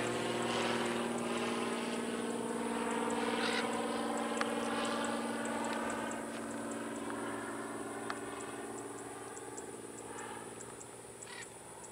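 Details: A steady droning engine hum with propeller-like whine and a few faint clicks fills the clip; no animal voice stands out.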